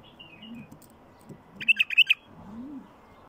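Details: A wild bulbul sings, used to get other wild bulbuls singing: a quick burst of about five bright, bubbling whistled notes, mid-to-high in pitch, over a faint low background murmur.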